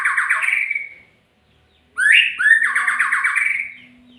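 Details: Murai magpie-robin singing two phrases about a second apart, each a sharp rising note leading into a grating, pulsed trill; a steady low tone runs underneath the second.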